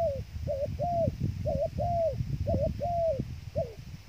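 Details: Cooing of a dove serving as trapping bait: paired notes, a brief rising coo then a drawn-out level-then-falling coo, repeated steadily with faint low background rumble.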